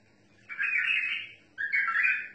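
A bulbul gives two rich, warbling whistled phrases, each under a second long with a short pause between, mid-high in pitch. No other sounds are heard.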